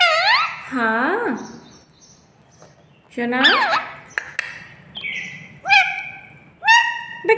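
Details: Pet parrot talking with its owner at home: loud harmonic squawks and wavering, rising and falling vocal phrases in bursts, with short pauses, clinks and a person's voice nearby.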